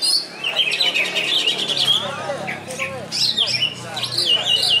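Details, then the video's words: Greater green leafbird (cucak ijo) singing at a bird song contest, a loud, varied run of bright chirps, rapid trills and sweeping whistles with lower swooping notes, applause and faint human voices behind. "CUCAK IJO KEPALA KUNING"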